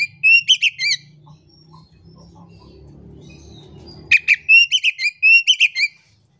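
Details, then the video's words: Oriental magpie-robin song played to provoke a silent bird into singing: two rapid bursts of sharp, whistled and chattering notes, the first brief, the second longer, separated by a quiet gap with faint low rumble. "pancingan kacer di jamin ampuh kacer pendiam malas bunyi cepat gacor"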